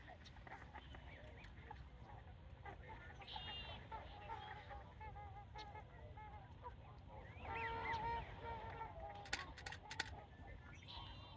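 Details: A flock of swans at the Ridgefield wildlife refuge, Washington, calls together in overlapping honking and bugling notes several times a second over a steady wash of background noise.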